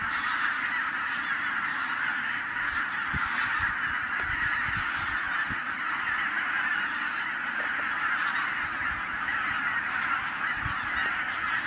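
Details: Tens of thousands of wild geese in Hungary, flushed by a white-tailed eagle. A dense, unbroken roar of massed honking voices, with scattered low thumps underneath.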